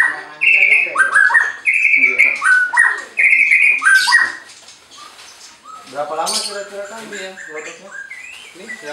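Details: Captive White-rumped shama at a breeding farm in Anyer, Banten, singing to provoke rivals: a run of bright, sliding whistled notes in quick succession, followed by softer, mixed chattering and clicks from other sounds.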